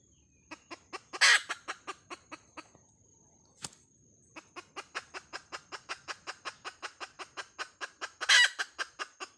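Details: Rapid, even clucks from a hen with two loud raspy squawks and a single sharp click between bouts; the clucks run steadily at about four per second.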